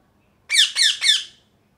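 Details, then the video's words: Three quick, rough parrot squawks run together, loud and shrill, then stop abruptly. "Loud Parrot Chirping | Natural Parrot Sounds | Parrot Calling Sounds"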